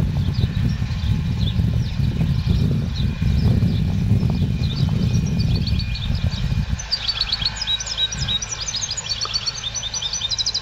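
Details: Trained European goldfinch with a clean-style song ('educado a limpio') missing a 'pirreo' phrase at its opening; heavy low rumbling noise dominates at first, then bright rapid high chirps and trilled twitters come through clearly in the last few seconds.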